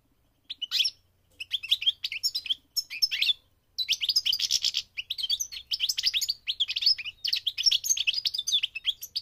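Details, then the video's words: Migrating goldfinch singing: a fast, bright twittering of high chirps and trills, with a brief pause near the start, then dense jangling phrases running almost without a break. "The singing of the migrating goldfinch"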